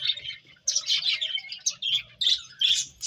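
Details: High, choppy chirping from playful finches, notes arriving roughly two or three per second in uneven clusters, with brief quiet gaps between bursts.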